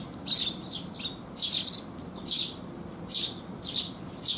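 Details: Sparrows coming for food on a wet day in June 2021 make clustered high chirps, some run together into short chattering bursts, about nine in four seconds.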